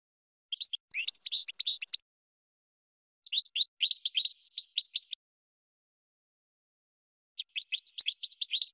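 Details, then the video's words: European goldfinch training song for cage birds, heard as three separate bursts of fast, jangling twitter with buzzy notes, divided by pauses of one to two seconds. "Chardonneret 12h Goldfinch (Training Song)"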